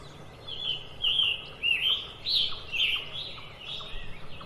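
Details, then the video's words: Scarlet tanager on a tree branch gives a rapid series of coarse, burry slurred notes, each phrase rising and falling, nearly continuous for several seconds against a quiet background. "A scarlet tanager is sitting on a tree with an original chirping sound."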